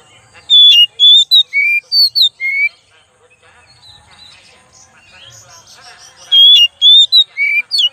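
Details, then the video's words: Oriental magpie-robin lure song: two bursts of loud, pure whistled notes that rise and fall, separated by several seconds of soft scratchy chatter and twitters. "pancingan kacer"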